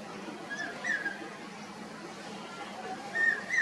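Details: A Common hawk-cuckoo perched in a tree at Green Park, North 24 Parganas, West Bengal, India, gives faint, rising whistled notes in two short bursts a couple of seconds apart, over a steady background hiss.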